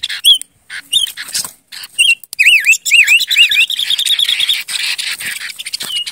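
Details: Silver-eared mesia (Ngũ Sắc) lure bird singing: separate whistled notes, then a series of deep swooping U-shaped whistles, a rapid even trill of short notes, and fading buzzy chatter.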